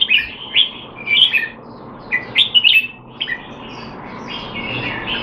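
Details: Red-whiskered bulbul kept caged in Singapore, 25 December 2020, during training sessions while out of form: several quick liquid phrases of rising and falling notes, with background chirping from other birds.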